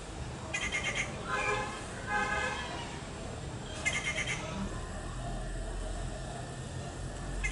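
Rufous Treepie giving four harsh, nasal, rasping calls, each about half a second long, over a steady low rumble of background noise.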